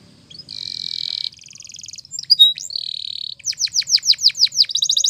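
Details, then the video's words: Song of a Spanish Timbrado canary for training canaries to sing: buzzy bubbling rolls, a short whistled flourish, a steady trill, then loud descending sweeps repeated quickly and a closing rapid trill. "The Best Canary Training Song In The Morning !! Make Your Canary Singing Again"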